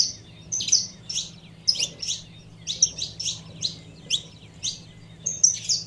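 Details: Female saffron finch calling to stir up the male: sharp, high chirps in quick pairs, repeated roughly every half second, with a steady low hum underneath.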